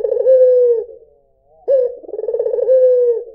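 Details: White Barbary dove cooing: a low, steady hum-like coo, a brief pause, then a rolling, pulsing phrase that settles into a long, smooth, level tone. The surroundings are otherwise quiet.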